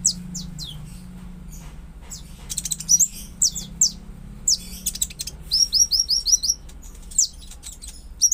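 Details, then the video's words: Konin song meant to prompt a quiet or stressed konin to sing: rapid high chirps and sweeping notes, with a fast series of repeated clipped whistles near the middle, over a faint low hum. "Pancingan konin agar LANGSUNG NGOBRA dan GACOR"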